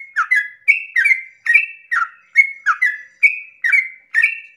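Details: Sooty-headed bulbul in long, rapid 'ropel' song at dawn, used as a lure to make other bulbuls sing. Loud bubbly whistled phrases, each a dipping then level note pair, repeated about twice per second with no background noise.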